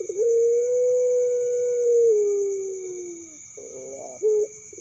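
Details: Young puter pelung dove, a prospective contest champion, giving a long, steady drawn-out coo that slowly sags lower, followed by a short rolling, pulsed burst and a brief clipped note, over a constant faint electrical hum.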